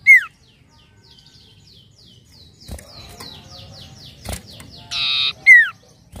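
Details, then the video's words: Common iora, a bird recorded as a lure sound: sharp descending whistles open and close the passage, with a rapid series of short falling notes and a loud flat buzzy burst between them, faint low background noise. "PANCINGAN BUNYI CIPOH BAHAN"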